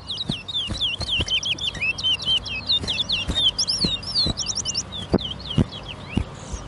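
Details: A chestnut-bellied seed finch (towa towa) sings in a bird whistling competition at a stadium in Guyana: a fast stream of sweet, warbled whistles, rising and falling notes close together, with sharp knocking clicks throughout, while a judge counts.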